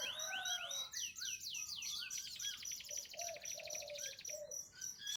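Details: Canary singing, a lemon bird, offered to coax silent birds into song: quick descending slurred notes give way to a rapid dry rattle-trill, with soft low warbles underneath and steady background hiss.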